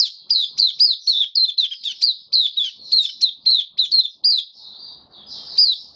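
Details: Caged white-eye after deworming and health supplements, singing a rapid run of high, sweet, slurred down-swept notes, about four per second, ending in a long thin sustained whistle; quiet room.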